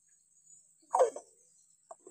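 A hill myna gives one loud, harsh, throaty call lasting about a quarter second, then two faint short notes, over a steady high-pitched whine.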